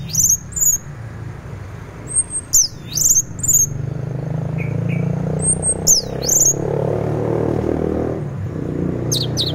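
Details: Morning teler song of an orange-headed thrush meant to stimulate other thrushes. Loud high whistled phrases with downward-swooping slurs come in clusters, with pauses between them and two soft low chirps midway, over a steady low rumble.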